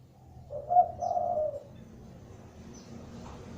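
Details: Spotted dove calling to prompt other doves to answer: one soft, low, drawn-out coo phrase with a brief accented note, over a steady low rumble.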